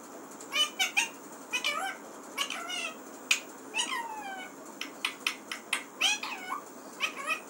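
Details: Pet parrot chattering steadily in a room, a rapid sequence of squeaky and nasal harmonic syllables, several with rising or falling glides, nearly continuous throughout.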